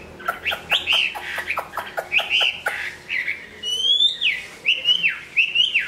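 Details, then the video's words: Large, well-singing, good-fighting Chinese hwamei in moult, growing new plumage, gives a loud varied song of rapid sharp notes followed by slurred whistled phrases dipping and rising, repeated in quick succession. "Họa mi bộ to hót tốt đấu tốt"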